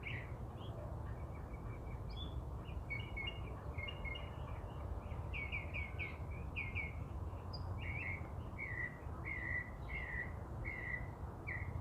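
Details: A songbird in Los Angeles, Southern California, singing from its favourite perch in a shade tree in April, known for many different songs. Continuous medley of chirped and trilled phrases, each repeated a few times before switching, over constant low rumble.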